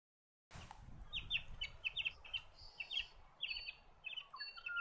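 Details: Blue Bonnet from dry eucalypt woodland in south-east Australia, a species usually seen in pairs or small groups feeding on the ground; short, sharp chirping notes come in quick clusters over faint low background rumble.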